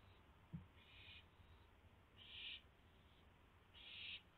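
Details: Owl at the nest around a pre-dawn food delivery on 4 May 2016: three raspy hissing screeches spaced about 1.5 seconds apart, the later ones louder, over low background rumble and a single knock.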